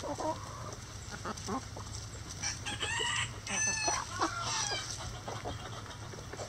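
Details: Rooster in a chicken coop gives a strained, harmonic-rich crow rising and falling over about two seconds mid-clip, amid steady clucking from the flock and a low background hum.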